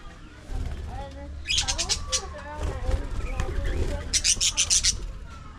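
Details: Aviary budgerigar colony: two bursts of fast, high, clicking and scratchy chatter, about one second apart in each burst, with softer warbled notes between, over low background hum.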